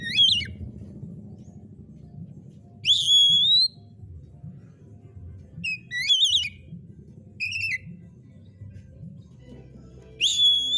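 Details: White-rumped shama delivering varied whistled song phrases roughly every few seconds, some steady and rising, others twisting and warbled, with steady low-pitched hum in the background.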